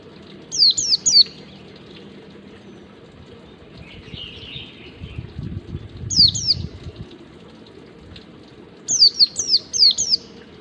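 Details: White-eye singing its wild-type ngalas song, used as a lure for captive birds to learn: high, thin, sharply falling whistles in quick bursts of two or three, with pauses between. A faint low rumble sits underneath.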